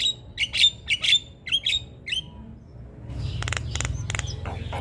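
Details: Javan myna in energetic song, from a tutor recording for other birds: a run of six quick, harsh chirps over two seconds, followed by sharp clicking and a louder, rough background.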